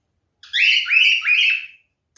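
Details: Male cockatiel making a mating call: three loud, slurred, rising whistled notes run together in one phrase, then silence.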